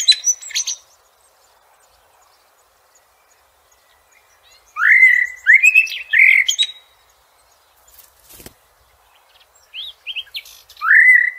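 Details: Blackbird singing outdoors: a short high squeaky opening, silence, then a sequence of rich, low, slurred whistles with twittery tails, and a final fluty phrase near the end.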